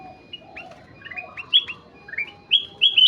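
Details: Kutilang emas, the ruby-throated bulbul, singing actively with soft low notes beneath, then loud, bright whistles that jump upward in quick pairs and short rising phrases near the end.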